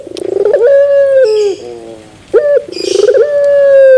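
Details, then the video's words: Turtle dove singing in the puter pelung style with a metallic ending: a stuttering run of quick pulses swells into a long, steady drawn-out coo that dips at the end, then a pause and the same phrase begins again. "Puter Pelung Terasan Bermetal"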